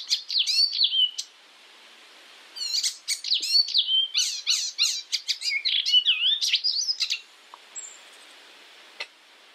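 Icterine warbler song: a fast, varied jumble of high whistles, sliding notes and dry chatters in two bursts, with a quiet pause between.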